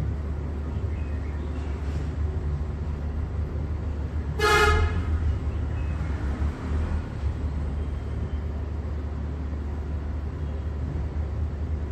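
Steady low traffic rumble with a single short vehicle horn blast near the middle, and no animal voice.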